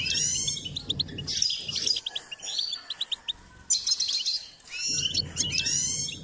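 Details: Singing goldfinch in a bird-training context: bursts of busy, metallic twittering with buzzy trills, a quieter stretch of scattered chirps mid-way, then another lively burst. A low background hum accompanies the loud phrases.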